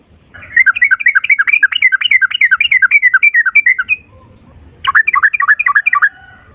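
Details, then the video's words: Sooty-headed bulbul in the ropel style with a long single-breath phrase: about three seconds of fast, bubbly, looping notes, a pause, then a shorter rolling burst. "Burung trucukan gacor ropel 1 nafas panjang volume cucak rowo"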